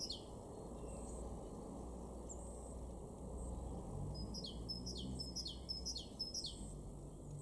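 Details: Great tit in a garden in Weener, East Frisia, far northwest Germany, March 2023; from midway, a brisk run of about six high two-note phrases, each sliding downward, repeated roughly every half second over a steady low rumble.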